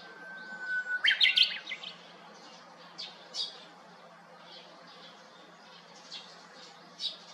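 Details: Japanese bush warbler singing from a hiba cypress beside an empty house on 7 May 2021, returning to the treetop after a bulbul left. A long steady whistle slides into a quick, loud warbled flourish. Faint chirps from other birds follow.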